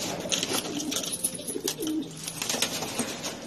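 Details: Filo pigeons, a domestic pigeon breed, giving soft low cooing notes in short rising and falling phrases, repeated through the clip, under constant scratchy shuffling, clicking and wing noise from several birds in a small indoor space.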